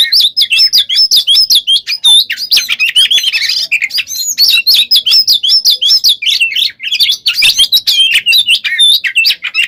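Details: Relentless Oriental magpie-robin song, nearly ten seconds of unbroken, rapid whistles, chirps and rolling trills at a fast tempo, described as nonstop singing that makes other birds agitated.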